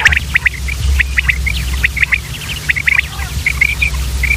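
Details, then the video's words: Common quail calling, urdu name batair: quick bursts of short, sharp chirping notes in loose clusters of two or three, overlapping and irregular as if from several birds, over a steady low mechanical hum. "common quail sound batair ki Awaz"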